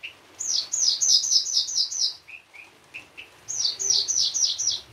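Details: Branjangan, the Javan bush lark, singing as a model for other larks: series of quick high downslurred notes about four per second, short lower chips in between, then another run.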